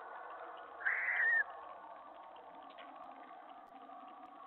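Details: Owl at night, 3:10 AM on July 31, 2017, during a mouse food delivery; one short, harsh, wavering screech of about half a second over a low steady hum.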